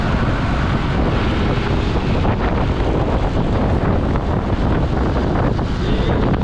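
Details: Steady wind buffeting and broadband rumble, like a vehicle or open water, fill the whole stretch with no animal voice.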